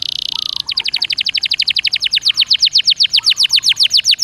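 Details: Canary (Serinus canaria) in 'gacor dor nembak' song to prompt another canary: a short buzzy high roll leads into a steady rapid series of sharp chipping notes, about four per second, bright and loud.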